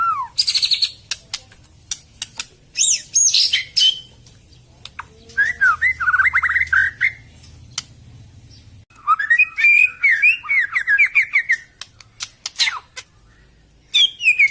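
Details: White-rumped shama song used as a lure for shamas reluctant to sing, stalled, or just finished molting; loud bursts of varied whistled and warbled phrases with sharp high notes and quick chattering runs, broken by short pauses.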